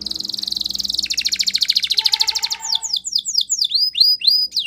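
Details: Spanish Timbrado canary singing a training song: a fast metallic trill that breaks into a rapid pulsed rattle, then a series of bright descending whistled notes repeated about every half second.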